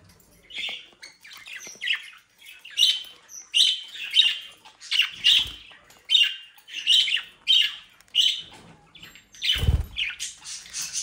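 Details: Mischievous young budgerigars bred in the Den Haag region, South Holland, Netherlands: a steady series of short, harsh, high chirping squawks, roughly one every half second, with a rustling thump near the end.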